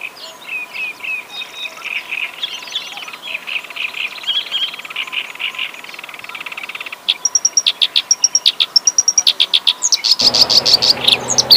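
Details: Kerak basi, a reed warbler from Java, delivering a rich song. Quiet scratchy chatter and warbling give way to a loud, rapid string of sharp repeated notes, then a harsh burst.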